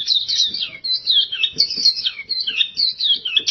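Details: Oriental white-eye singing gacor style: fast, continuous high-pitched warbles and twittering trills, rising and falling phrases run together with hardly a gap, about four bursts a second, faint low tapping sounds underneath.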